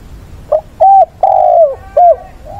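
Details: Weekend recording on 6 September of a decoy spotted dove giving fighting song to call mates: a pure, hollow cooing phrase of four notes, the third long and sinking, and another coo starting as it ends.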